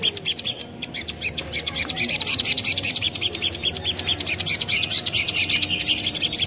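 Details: Spiderhunter, local name sogon, on a lure recording. Busy, high, buzzy chatter of rapid notes continues throughout, growing louder after the opening seconds.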